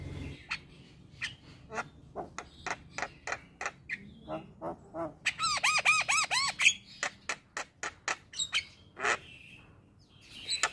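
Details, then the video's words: A male Javan myna's sequence of sharp clicking notes, then a burst of rapidly repeated looping whistles, followed by more dry, rhythmic clicks. The song is meant to get other mynas singing. "SuaRA Jalak Kebo Jantan Bikin Burung Jalak Yang Dengar Langsung Ikut Bunyi"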